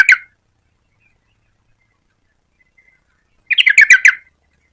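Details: Yellow-vented bulbul (trucukan) giving a brief bubbly phrase, then after a pause a fuller run of five or six quick, warbled mid-pitched notes.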